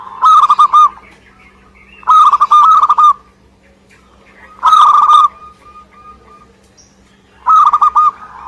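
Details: Local Indonesian zebra dove singing energetically: four bursts of rolling, bubbly coos, each about a second long, spaced roughly two to three seconds apart, with a steady low hum underneath.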